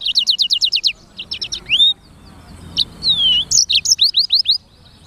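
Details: Black-throated canary, or sanger, giving lively song. A quick series of high repeated notes is followed by long sliding whistles and further rapid chirps, all clear against a quiet background.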